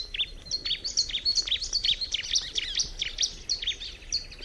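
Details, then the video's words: Bar-winged prinia singing a rapid, continuous stream of high, thin chirps and sharp tweets, tightly packed across four and a half seconds with hardly a pause. "kicauan alam burung ciblek"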